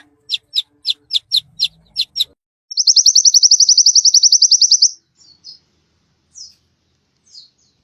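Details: Indonesian white-eye giving canary-style burst song, used as a lure to make quiet birds sing: a row of short, sharp separate notes, then a long, fast, high trill of rapid even pulses, ending in a few faint chips.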